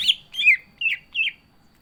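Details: Captive green leafbird in energetic song utters four rough, burry, slurred notes of varying pitch in quick succession.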